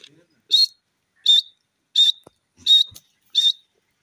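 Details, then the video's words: Five sharp, high, ringing notes from a grey francolin, evenly spaced about three quarters of a second apart, with quiet gaps between them. "bhura teeter ke voice,dakhni teetar bird sound"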